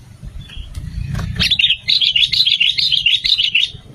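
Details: Sooty-headed bulbul song meant to attract other bulbuls and set them calling: a lively, fast string of clear, chirpy whistled notes, roughly two per second, after a low rumbling start.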